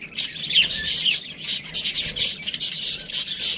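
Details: Budgies keep up a constant high chatter: buzzy trills, quick rising squeaks and tinny warbling phrases in bursts with brief gaps.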